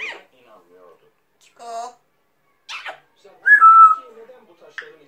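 African grey parrot giving short speech-like phrases, a harmonic voiced sound, then a clear whistle sliding down slightly, with brief sharp clicks between.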